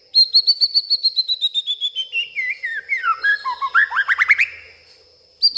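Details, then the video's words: Agitated white-rumped shama at night, voicing imitated garden sounds: a long series of quick whistled notes stepping steadily downward in pitch, then a run of sharply rising upslurred whistles, a short pause, and a fresh note. "malam hari malah koar koar,,,murai batu ngamuk isian se kebon keluar"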